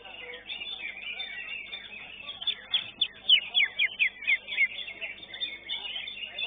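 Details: Greater green leafbird singing at a bird-song contest at Srengseng, placed fifth in its class; a quick series of loud, sharp downslurred whistled notes, about four a second, rises above a dense chatter of other competing birds.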